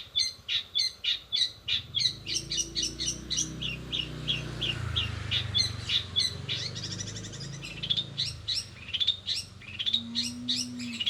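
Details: Long-tailed shrike singing a fast rolling song with imitations of sparrows, sogon and canary: rapid chirped notes repeated about three per second, a quick burst at first, then denser buzzy trills, over low rumbling background noise.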